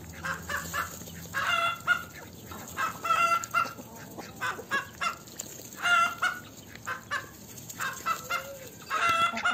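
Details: Chickens in a farmyard cluck in short, irregular bursts of nasal, mid-pitched notes, several birds calling over one another with brief pauses.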